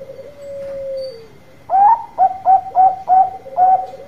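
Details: Loud, actively singing Bangkok zebra dove, a song meant to lure other doves into replying fast; a soft, long, level note opens, then a rhythmic series of six strong, clipped coos about every third of a second.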